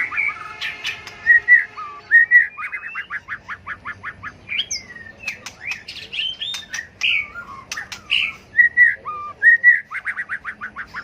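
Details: Tail-flicking White-rumped shama in competitive fighting song used for bird training: a few clear whistles, then fast, steady trains of short repeated notes around seventy a minute, broken by looping slurred phrases and a sharp click.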